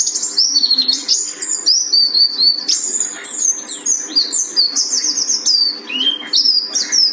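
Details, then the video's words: Mountain white-eye song, pleci buxtoni of Gunung Karang: lively high warbling of quick slurred chirps and short trills, unbroken for seven seconds, over a faint constant hum. "Pleci Buxtoni Gunung Karang Tembakan Mantap"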